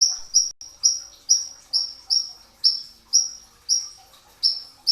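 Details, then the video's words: Brown-throated sunbird, known locally as konin or ninja hummingbird, singing before dawn at the pre-fast meal time, a training recording of dense bursts: sharp high chirps that slide slightly downward, repeated about twice a second in an uneven rhythm. "masteran pedas kicau konin dacok, kolibri ninja 2tak dada coklat full tembakan rapat di saat sahur"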